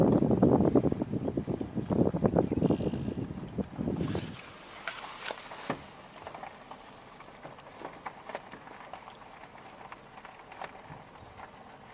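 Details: Loud rumbling, splashing noise for four seconds, then quieter outdoor background with scattered clicks and knocks, no animal voice.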